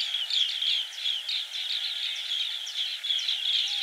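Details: Asian green bee-eaters calling at Karjat Waters in a continuous run of high, slightly rolling chirps, quick and unevenly spaced, with a constant low background hum in an open rural setting.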